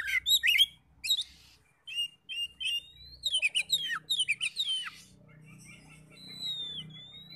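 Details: Oriental magpie-robin song used to stir other magpie-robins into singing: loud mixed whistles and chattering notes, rapid rattling series mid-way, then a thin drawn-out whistle over a low indoor hum.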